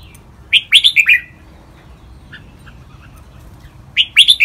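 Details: Red-whiskered bulbul training song in the lak wai style, lively and sharp: two quick bursts of four bright, slurred whistled notes, rising then falling, separated by about three seconds of near silence.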